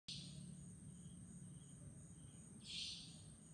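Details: A savanna nightjar at Chunghsing New Village, Nantou, Taiwan, on 11 April 2018, gives two sharp, buzzy, high calls about two and a half seconds apart over a steady high insect trill and low rumble.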